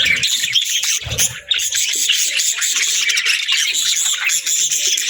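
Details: Happy pet budgies give an unbroken, bright, buzzy twittering of fast overlapping chirps, with a short low rustle near the start.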